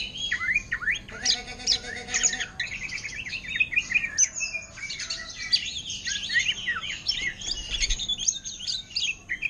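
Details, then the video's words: Captive greater green leafbird imitating orange-headed thrush style: varied high twittering, rising and falling whistled slurs and clicks in a steady torrent, with one short low buzzing tone early. "Cucak Ijo Ngentrok Gaya Anis Merah"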